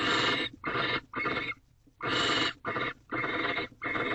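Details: At dawn on 19 March 2023 in a nest box, a male barn owl offers a fresh rodent to a female. Rough hissing bursts come in runs of three, separated by a brief silence.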